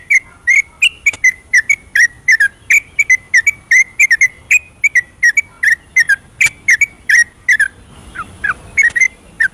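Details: Long rapid 'ropelan' song of a yellow-vented bulbul, recorded at night as a singing lure: a steady stream of clipped whistles near one pitch, with a brief softer stretch of descending notes near the end.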